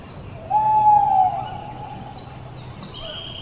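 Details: Owl producing a single drawn-out whistle that starts strongly and slowly fades, followed by scattered high chirps from other birds against low, steady background noise.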